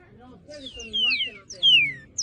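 Cardinal giving loud, clear whistles that slur steeply downward, two long notes about half a second apart, with faint low murmuring underneath.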